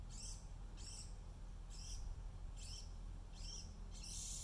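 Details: A juvenile Brown-headed Cowbird being fed by its Oregon Dark-eyed Junco host parent gives high, thin, squeaky begging notes, about six in four seconds, over a low wind rumble; it begs despite food all around (3 August 2019).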